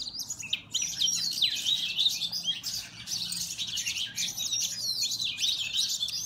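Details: Oriental magpie-robins fighting, recorded by mobile phone: loud continuous high-pitched chattering with twisting, squeaky whistled notes and harsh scratchy bursts that barely pause across several seconds.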